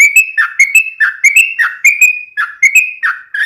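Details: Yellow-vented bulbul giving gacor song for daily cage-bird training: evenly paced whistled notes, each sweeping downward, repeated at about two per second.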